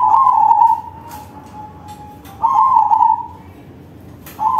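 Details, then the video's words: Crossbred zebra dove singing with a big voice as a lure for other zebra doves: a loud warbled coo phrase trailing into a long, thin, even trill, then another rolling burst, over faint hiss. "Perkutut crossing manggung suara besar || Suara perkutut crossing || Pancingan perkutut lain"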